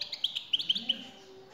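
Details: European goldfinch male, prompted by a female's call, giving a quick run of five or six crisp high chirps in under a second, then fading to quiet.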